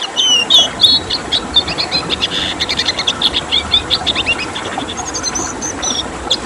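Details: Red siskin singing in the 'tembakan' style: a dense run of fast, high twittering notes and short buzzy trills packed together, a training recording for songbirds, over constant hiss.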